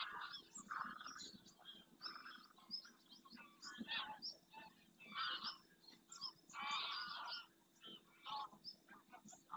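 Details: A big flock of wintering greylag geese in flight over Doñana's marshes in Spain, returning to the lagoon early in the morning; many overlapping honks and cackles in irregular bursts.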